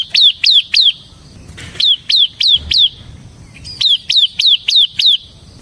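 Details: Ciblek semi gacor, Bar-winged prinia, song for luring and tutoring ciblek kristal: short groups of three to five ringing, downslurred chirps separated by brief silences.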